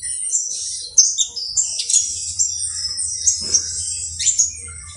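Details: Saffron finch, locally called canario basto criollo, singing a lively stream of high trills, buzzy phrases and quick chirps, with a few lower whistled notes, over a soft low hum.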